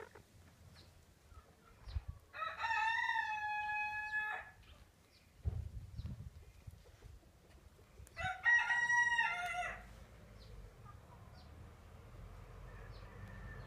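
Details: Pekin frizzle chicken, among two blue-mottled hens newly laying after a long moult, gives two hoarse, wavering crows of about two seconds with level held notes, a few seconds apart, with low rumbling thumps between.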